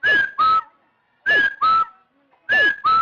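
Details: Rufous-throated partridge call, used as a trapping lure: clear paired whistles. A slurred higher note is followed by a steady lower one, with each pair repeated about every 1.2 seconds in a quiet background.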